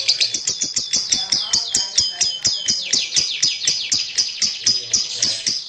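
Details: Champion lovebird giving a fast, unbroken stream of shrill, high chirps and short downward-sliding squeaky notes, about two per second, with faint low thumps underneath.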